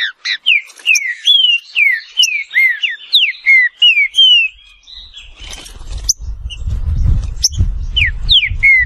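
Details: Green-winged saltator singing a run of loud, slurred whistled notes, each sliding downward, repeated almost three times a second. A fainter jumble of chirps and a low background rumble follow in the second half.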